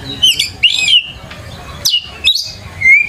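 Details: Oriental magpie-robin singing as a training lure for young birds: short separated phrases of bright whistles with buzzy, rasping accents, a few notes rising or falling, spaced by brief pauses over faint background hiss.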